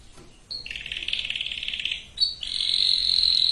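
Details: Canary song for breeding preparation of females and males, recorded quieter: a buzzy rolled trill, a short pause, then a higher sustained rattling trill.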